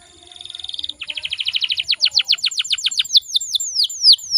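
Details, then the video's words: A female canary's voice is used to provoke males to sing. A rapid trill speeds up, then shifts into slower, clear, downward-swooping whistles about four per second, over a steady thin high tone. "PANCINGAN KENARI"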